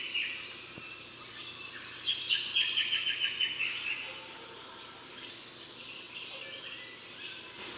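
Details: Eastern rosella recorded above 500 m in Queensland's Darling Downs: one high note, then a brisk series of around eight clipped, high-pitched chatter notes, set against constant high-pitched insect hiss.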